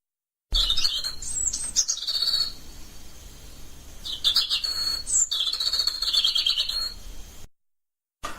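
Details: A European robin sings in a garden in Flintshire, proclaiming its territory, with two high, thin warbling phrases of liquid trills and sweet notes separated by a brief pause.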